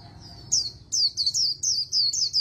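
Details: Oriental white-eye singing the fast 'líu đấu' fighting trill in magpie-robin style for voice training: a faint thin note, then quick high descending whistled notes in bursts of about four, separated by brief pauses, with no other sounds.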